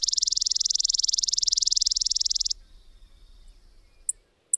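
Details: Chipping sparrow song: a single fast, even, high trill of dry chips lasting about two and a half seconds, then faint background hiss and two short sharp clicks at the end.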